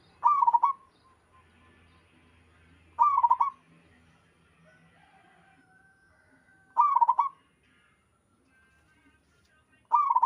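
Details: Local zebra dove, in full song with other doves answering: a mellow, rolling coo phrase around a low whistled pitch, repeated roughly every three and a half seconds, four phrases with quiet pauses between.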